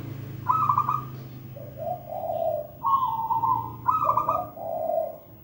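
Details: Zebra dove of local wild stock cooing steadily: repeated mellow phrases, each a slightly higher trilled note dropping to a lower, drawn-out purring coo, with a faint hum below.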